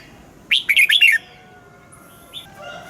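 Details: Morning song of a red-whiskered bulbul trained to sing the wild-style double-note song. One brisk warbled phrase of about four rapid notes is followed by quiet, with a faint high thin note and a soft low hum.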